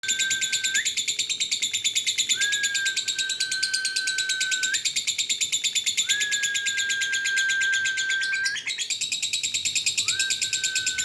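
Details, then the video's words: Lovebird in long, unbroken chattering song: a dense, rapid stream of harsh, buzzy pulses runs throughout, with a steady whistled tone that rises in, holds for about a second and a half, then breaks off and recurs several times. "Lovebird Singgle Fighter"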